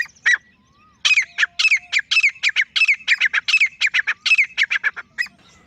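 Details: Grey francolin male alone, opening with one sharp note, then a rapid, loud, repeated series of harsh squeaky triple-beat phrases lasting about four seconds before it fades.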